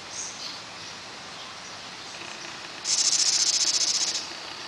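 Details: House wrens, a nesting pair feeding their brood, recorded June 21: after a quiet start, one high, raspy, rapidly pulsed buzz lasting about a second and a half, over faint background hiss.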